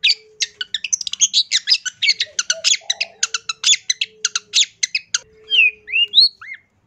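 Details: Energetic long-tailed shrike song, 'full isian' masteran material: dense scratchy staccato notes pour out for five seconds, then give way to a few clear, sliding, whistled notes.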